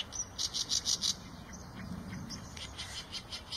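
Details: Eurasian tree sparrow giving a quick run of bright, high chirps in the first second, then softer scattered chirps over a low rumble of background noise.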